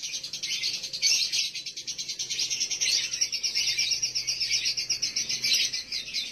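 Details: Lovebird konslet lure call used to stimulate breeding condition in a male: an unbroken, high, buzzy chatter of fast pulsed notes, steady and loud for the whole stretch, with faint low hum underneath.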